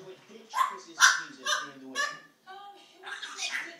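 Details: Pet parrot imitating a dog's barking and a cat's meowing, recorded 21 February 2010: a run of short, harsh, bark-like bursts about every half second, then a softer, breathy, mewing phrase, with a person speaking nearby.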